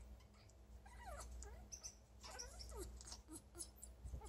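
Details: Female pet African grey parrot making a soft, cute sound when happy and wanting affection: quiet wavering, squeaky whistled notes that bend up and down in a loose series, over steady low hum.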